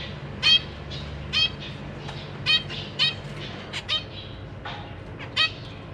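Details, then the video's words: Captive zebra finch family, a parent pair with three juveniles and three newly fledged babies in a big cage, 14 April 2023, parents busy feeding young: short, harsh, high calls about every second, fainter thin cheeps between, low hum. "Zebra Finch - Jobby and Yongi, 3 juvenile babies and 3 more new born babies"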